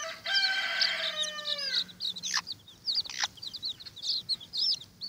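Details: Watermaal bantam chicks squabbling over an earthworm: a long harmonic wavering cry gliding downward, then a stream of rapid high peeps from several chicks, with a few short scratchy sounds.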